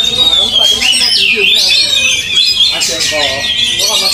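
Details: Oriental magpie-robin (kacer) being trained in the field, giving loud, varied whistled phrases with rising and falling sweeps, mixed with other birds' chirps and people talking in the background.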